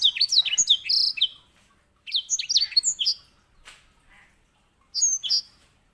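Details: Grey singing finch, or edel sanger, used as a master singer to train canaries, giving bursts of quick high twittering whistles and slurred notes in three phrases separated by short silences.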